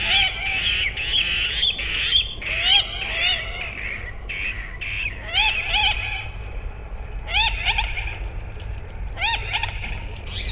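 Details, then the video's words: Common moorhen giving a busy run of harsh, harmonic calls with short rising strokes, several per second, some notes overlapping, over a low background rumble. "Moorhen Bird Sound | Beautiful Calls & Sounds of the Common Moorhen"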